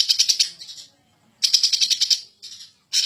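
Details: Agitated greater green leafbird singing ngentrok style: three quick stuttering bursts of bright, rattled pulses, the middle one longest, with short silences between.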